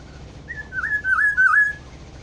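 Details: A black-throated oriole (kepodang hutan) whistles a brief rising note, then a run of three mellow, wavering fluty slurs at steady pitch, with a quiet low rumble in the background.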